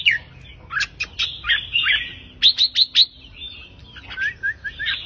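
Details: Red-whiskered bulbul singing a 3-4-5 counting-note song line to excite other birds: a jumbled opening warble, then four crisp, evenly spaced whistled notes, followed by softer descending slurred phrases.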